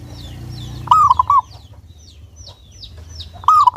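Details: Local Indonesian zebra dove (perkutut) with a clear voice, used as a lure to get other doves singing: two hooting three-part coo phrases about 2.5 seconds apart, over soft high chirps of small birds.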